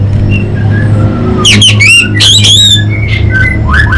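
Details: Orange-headed thrush (anis bata) from North Bali giving a few loud, sharp, ringing harmonic notes in quick succession, followed by softer slurred whistles, over a steady low hum.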